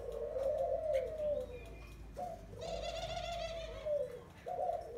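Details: Wild-caught spotted dove after twelve days in a cage gives low, arched cooing notes, one long drawn coo then a second after a short break, while another bird adds a bright, rapidly repeated harmonic chatter in the middle.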